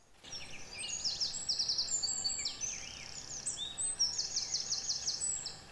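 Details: A male common redstart, a spring migrant arrived to breed, sings about 20 feet away deep in oak woodland on Exmoor: short, high phrases of sweet notes ending in quick jangling trills, over a busy chorus of other songbirds.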